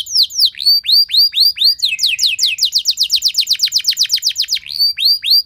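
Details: Loud, long canary song used as a lure for other canaries, with curved whistled notes, then a quick regular run of descending sweeps, ending in more looping whistles.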